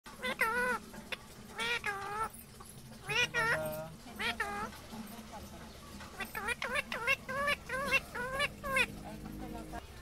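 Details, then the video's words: Indian ringneck parrot talking: a run of short, voice-like syllables rich in harmonics, with sliding and wavering pitch, delivered in quick bursts across ten seconds over a faint low hum. "Indian ringneck parrot talking/parrot sound"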